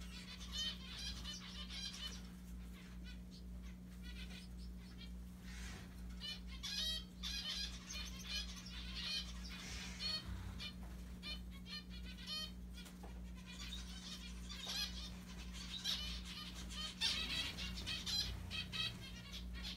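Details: A group of mandarin zebra finches kept as pets, busy picking at a Santa hat, utter bursts of brief buzzy, nasal notes at irregular intervals, with flapping wings and a steady background hum.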